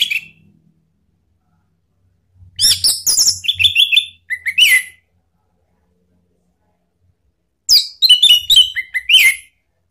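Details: Orange-headed thrush lure song in the ngeplong style, used to prompt a kept bird to answer. Two loud bursts of rich, varied whistles and fast chattering phrases, about five seconds apart, with quiet between.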